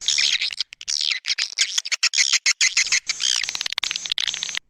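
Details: Edible-nest swiftlet call for attracting the birds: fast chattering twitters in quick bursts, high and buzzy, separated by tiny gaps.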